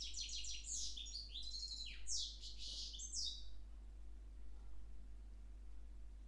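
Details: Hybrid of parva goldfinch and Timbrado canary singing on 10 February 2011, a dense burst of fast high chattering notes and descending slurs for about three seconds, then near silence with a low hum.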